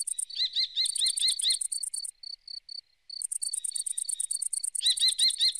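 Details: Red-footed falcons at Břest on 13 September 2019 give a shrill, rapid chatter of short arched notes, interleaved with thin, very high pulsed trills in quick overlapping bursts.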